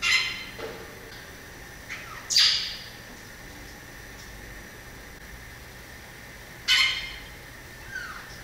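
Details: Sparse variable oriole song: a few isolated rough, buzzy bursts separated by long pauses, with a soft downslurred whistle near the end.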